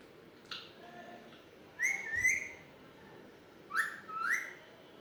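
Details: Alexandrine parakeet talking, repeating a paired rising two-note whistled phrase twice about two seconds apart, with a faint soft sound between.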